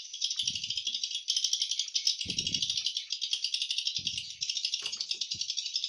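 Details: Many swiftlets calling inside the hatching room of a swiftlet house with high-quality nests: unbroken rasping, rattling chatter that pulses rapidly throughout, with occasional dull low bumps from movement nearby.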